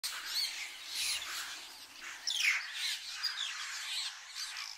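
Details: Large flock of glossy starlings at a waterhole in Mashatu Game Reserve, Botswana, gathering to bathe; a dense, continuous wash of overlapping harsh, piercing squawks and chatter with occasional sharper rising notes standing out.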